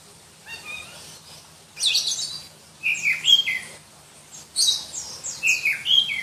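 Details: Shrill song of a black-breasted Oriental magpie-robin from Berau, East Kalimantan: three bursts of mixed high scratchy notes and clear descending whistles, each about a second long, with short pauses between.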